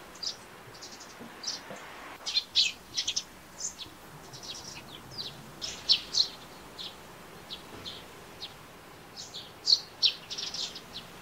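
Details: Eurasian tree sparrow chirping in the morning, possibly calls rather than song: short, dry chirps in loose irregular bursts, sometimes doubled, over a quiet background.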